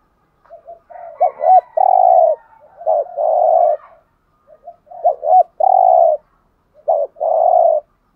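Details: Spotted dove (cu gáy) cooing in the 'hạp bổi' voice, a full set of calling, urging and gù coos, used to rouse a caged male. Three low phrases: short hooked notes lead into a long steady coo, about every two to three seconds. Background quiet.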